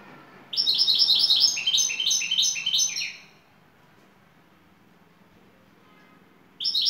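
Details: European goldfinch singing, a Turkish 'baş kuşu' of the clapping 'şakşaklı' song style: a rapid, bright run of twittering, tinkling notes for about two and a half seconds, then quiet, with a fresh burst starting at the end.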